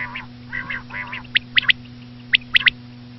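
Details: Common quail: a few nasal, harmonic low notes, then two quick triplets of sharp, high clipped whistles about a second apart, over a steady low electrical hum.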